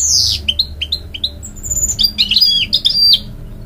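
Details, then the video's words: Hybrid goldfinch, a canary and goldfinch cross, singing to encourage young chicks: high twittering notes, a steep falling sweep, then a run of short separate chirps and a bright upslurred phrase near the end. "A Hybrid Goldfinch Sings To Encourage Young Chicks"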